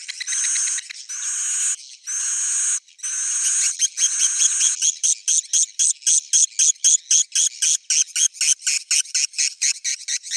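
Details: Swiftlet roosting sound used to attract edible-nest swiftlets: a few harsh buzzy chirp bursts, then a fast train of short, crisp, rattling chirps, about four per second, steady to the end.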